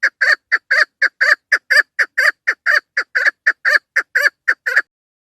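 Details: Female chukar partridge calling, a sound used by hunters as a lure. Regular, gravelly chuk notes come about twice per second for nearly five seconds, then stop.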